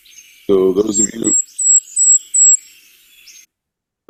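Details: Golden-crowned kinglet (Regulus satrapa) song, played in a Mendocino Coast winter birds review: a run of five very high, thin, sibilant notes over about a second and a half, just after a man's brief speech; so high-pitched it is among the first birds people lose hearing for with age.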